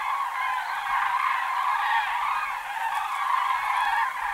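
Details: Unbroken din of many common cranes calling together in autumn, rolling bugled notes blending into a loud continuous wall of sound.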